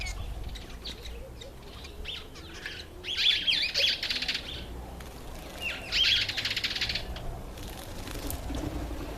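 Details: Cape weaver giving two loud, harsh buzzy bursts of chatter, each about a second long, over a steady low rumble of background noise.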